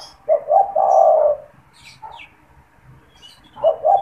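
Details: Spotted dove calling from its cage, used as a decoy to draw wild doves. One deep phrase opens the recording: a quick double hoot and then a drawn-out throaty coo. A second phrase begins near the end.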